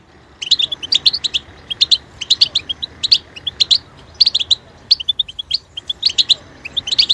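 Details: Continuous goldfinch song, a busy stream of bright chirps and liquid twitters in tight bursts with brief breaks, over a soft background hiss.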